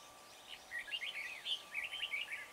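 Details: Red-whiskered bulbul singing as a trapping decoy at Chùa Hương, 24 March, to call in wild birds: a loud, continuous chattering warble of slurred, bouncing whistled notes.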